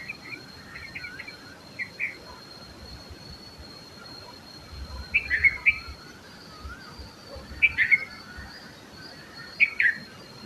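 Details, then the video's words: Singing red-vented bulbul giving clipped, bouncy three- or four-note phrases, repeated roughly every two seconds after a quieter opening, with a constant thin high-pitched tone running underneath. "RED - VENTED BULBUL BIRD SINGING || BULBUL BIRD SOUND"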